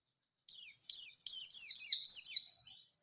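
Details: Oriental white-eye song meant to spur another bird to sing against a rival: a quick run of high, thin, down-slurred twittering notes strung together for about two seconds.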